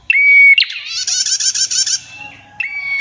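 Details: Female prenjak, described as red-headed, singing: a clear steady whistled note, then a long harsh buzzy trill lasting about a second, fading, followed by another whistled note; quiet background.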